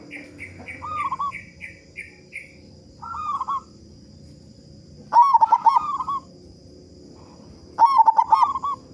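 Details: Loud-voiced local zebra dove, played as a lure to make other doves sing sooner, delivers repeated short rolling coo phrases and stuttering bursts; a quick series of higher chirps from a different bird opens the passage.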